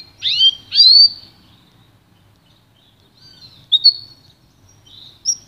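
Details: Pintagol hybrid of goldfinch and canary in pure song meant for training: two loud swooping chirps opening the phrase, followed after a pause by brief high whistles and twitters.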